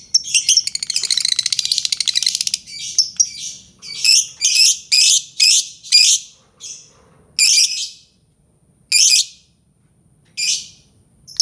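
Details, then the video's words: Albino lovebird chattering in a long rapid rattling trill, then harsh squawky calls repeated about once a second, slowing to spaced single squawks. "Suara Burung Lovebird Albino"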